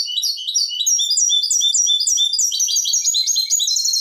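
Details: European goldfinch singing in the clean (limpio) style, 2023: continuous bright, tumbling twitter of repeated chirps and buzzy trills, very high and fast throughout, with no background noise.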